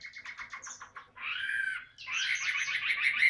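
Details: Tame caged Chinese hwamei in voice-training song: a run of quick repeated chirping notes, then a short buzzy, rolling phrase and a dense warbled passage ending in bright whistles.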